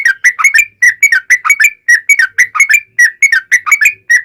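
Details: Yellow-vented bulbul in a long, rapid-fire 'ropel panjang' song used as a lure to make other bulbuls answer: a continuous run of quick, bubbly, chattering whistled notes, about four per half second, with no gaps and no other sounds.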